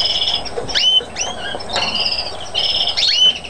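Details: Mutation European greenfinch recorded on Chios, Greece, in 2012: bursts of buzzy, steeply sweeping notes and clear whistles, grouped in short phrases with brief pauses between them, over a faint low hum.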